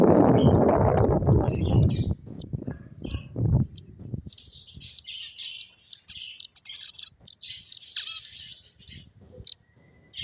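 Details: Several finches at play chirping: after loud low rumbling and thumps in the first seconds, bursts of high, thin, rapid twittering notes run almost continuously, with short pauses between clusters.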